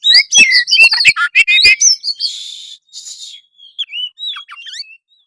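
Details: Singing kacer (oriental magpie-robin) of gacor type delivers fast twittering whistles and chirps, followed by two buzzy rasping phrases and a few soft slurred whistles trailing off into silence.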